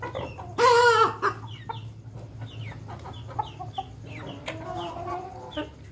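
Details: Ayam Ketawa rooster crowing while eating: one loud harmonic crow near the start lasting about half a second, followed by soft clucks and faint chirps from other birds in the background.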